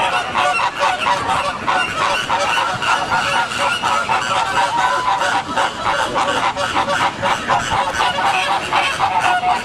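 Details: Pink flamingos in a flock in San Diego, giving nasal, goose-like honks that run densely and continuously, many overlapping notes with no real pauses throughout.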